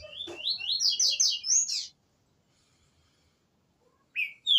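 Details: Green-winged saltator singing at the start of the season: a loud, quick phrase of rising, slurred notes lasting about two seconds, then silence, then the opening notes of another phrase.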